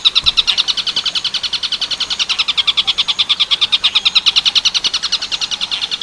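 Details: Clear Tengkek Buto Werkudoro style song from a long-tailed shrike, meant for training other birds: an even, rapid series of rough buzzy notes repeated without a break.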